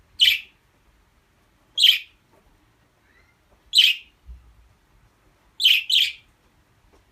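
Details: Budgerigar giving short, bright, high chirps roughly every two seconds, the last a quick double chirp, with near silence between calls and a faint low thump.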